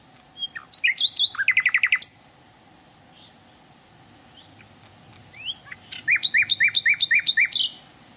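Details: Hill blue flycatcher in the wild: brief introductory chips lead into a fast, evenly paced string of bright, high, ringing notes. After a quiet gap, a few sliding notes, then another rapid series of about ten ringing notes.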